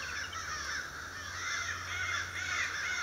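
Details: In February 2012 a congress of crows, near a downy woodpecker on a cedar tree, caws loudly, harsh overlapping calls running together almost without pause, over a faint low hum.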